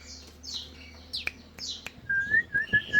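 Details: Caged canaries and black-throated canaries in the morning, breeding flock; high buzzy downslurred phrases with sharp clicks, then a run of clear, repeated whistled notes rising slightly.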